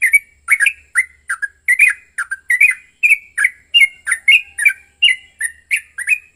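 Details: Yellow-vented bulbul in an agitated, fighting-style song used as a lure to provoke other birds into singing; bubbly gurgling phrases repeated rapidly, roughly two or three notes per second, with sharp high overtones and no other sounds.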